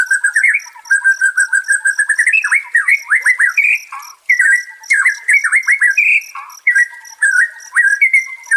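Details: White-rumped shama song meant to calm a stressed caged bird and bring back its fighting spirit: rapid fluty warbling, fast slurred notes and clear whistles in a continuous, varied stream.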